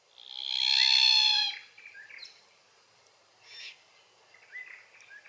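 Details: Capertee Valley Glossy Black-Cockatoo (Calyptorhynchus lathami lathami) at its feed trees. One long, strong, nasal wail of over a second, then soft, chattering notes and brief, quieter calls.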